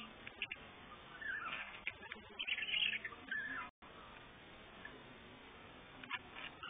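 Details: Pet budgerigar, nearly four months old and of uncertain sex, learning to talk: soft warbles and scratchy chirps with a few brighter squeaky bursts mid-clip, mostly high and crackly.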